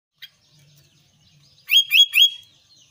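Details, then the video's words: Albino sooty-headed bulbul singing actively. After a faint click and near silence, it gives a quick burst of three bright, slurred notes in about half a second. "kutilang albino gacor"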